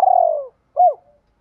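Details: Spotted dove in the goading 'thúc gù' coo style, played to push newly caught caged birds to coo: a long purring, slightly falling rolled note, then a short clear hooked coo after a pause.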